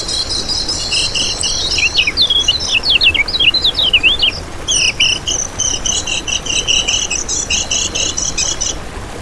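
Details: Kecial kuning white-eye, a master recording used as a lure for trapping and to tutor caged birds: high, rapid twittering chatter with fast down-slurred notes in the middle, then steady pulsed trills, continuous for about nine seconds.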